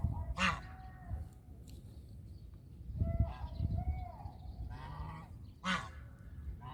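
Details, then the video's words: Domestic goose giving repeated harsh honks, several spread over seven seconds, some followed by softer drawn-out tonal notes, against a low rumble and occasional knocking. "The sounds of Country goose call is relaxing"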